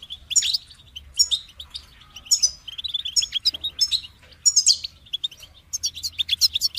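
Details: Rapid, cheerful warbling from a goldfinch: jangling chirps mixed with sharp buzzy bursts, phrases returning every second or so over a faint steady low drone.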